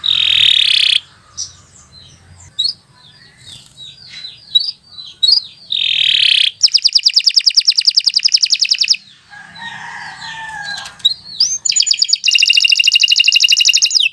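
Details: Canary song for training young birds: sustained buzzy trills alternating with quieter scattered notes, then bursts of fast rattling, pulsed rolls.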